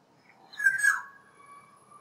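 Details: A black-naped oriole singing outdoors outside a bedroom gives a single rich, fluty whistle lasting about half a second that slurs slightly downward, followed by a faint, steady, thin tone.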